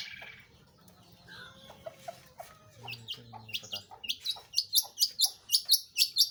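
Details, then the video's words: Long-tailed shrike singing actively; faint scattered notes at first, then a run of sharp, high, clipped chirps repeated about twice a second over the last two seconds, with a soft low hum underneath. "burung pentet/cendet gacor"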